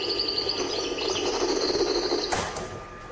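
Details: European goldfinch, an old recording, perhaps from the 1970s, from the La Louvière region, singing with improvisation: a fast, continuous, bright twittering with tinkling high notes, over faint background music.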